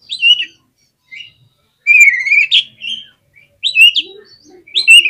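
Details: Kacer (oriental magpie-robin) in energetic song meant to excite other birds. Loud, separate phrases: a rising whistled slur, buzzy notes and short sharp chirps come in bursts with silent gaps between them.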